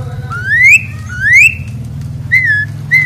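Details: A captive Asian pied starling, while being bathed, sings loudly: two clear, rising whistles followed by two shorter, flatter whistled notes, over a low engine-like hum.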